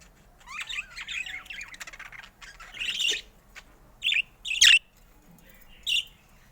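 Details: Pet budgerigars, colourful mutations, heard in a relaxing setting: warbling chatter with rising squeaky notes, then short loud squawks spaced about a second apart.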